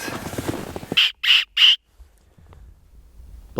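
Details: In snowy Sax-Zim Bog, northern Minnesota, on October 24, 2020, with temperatures in the 20s–30s °F, a black-capped chickadee gives three harsh, buzzy dee calls in quick succession, after a man's voice and footsteps.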